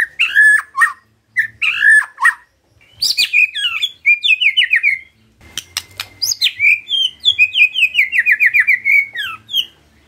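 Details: White-rumped shama in vigorous gacor song meant as a lure so other shamas sing readily: rich whistles and harsh notes, then long rapid trills of chirping, downslurred whistles repeated several per second.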